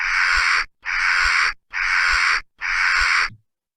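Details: A western jackdaw gives its alarm or scolding call on spotting a predator, a recruitment call for mobbing: four harsh, rasping, crow-like calls, each long and drawn out, repeated just under once a second.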